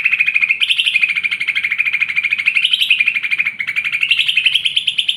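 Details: Lesser green leafbird of fighter type in a continuous, fast, rattling song of wavering high notes that rise and dip without pause across the whole stretch.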